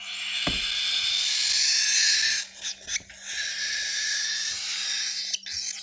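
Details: Cockatiel babies in a San Diego bird store: a loud, continuous, breathy hiss with a thin whistled tone on top. It dips briefly midway, then returns, with a low hum beneath.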